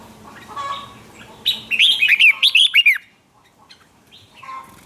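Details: Red-whiskered bulbul contest song aimed at stirring other birds to sing: soft murmuring calls, then a single sharp burst of fast, chirpy warbled notes lasting about one and a half seconds, followed by quieter distant calls.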